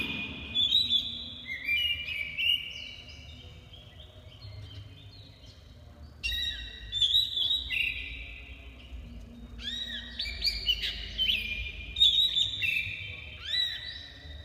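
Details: Black-breasted oriental magpie-robin singing vigorously: loud, clear whistled phrases with slides and sharp upward and downward notes, delivered in bursts separated by short pauses, over a low steady hum.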